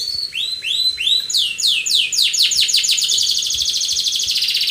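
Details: A canary sings aggressively, in an attacking style, opening with a few slow upward-swept whistles that speed up into a rapid run of repeated sweeps, ending in a continuous high buzzy trill.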